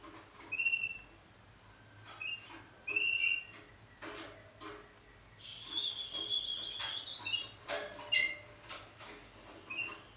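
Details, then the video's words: Malinois Waterslager canary heard quietly, in short bright whistled notes spaced by pauses, a brief high rattling trill in the middle, and scattered soft clicks. "Malinois Waterslager 2014"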